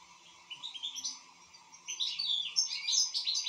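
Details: Goldfinch song, European, in full form: a soft twittering start swelling into a lively run of high chirps and liquid notes, over a steady low hum.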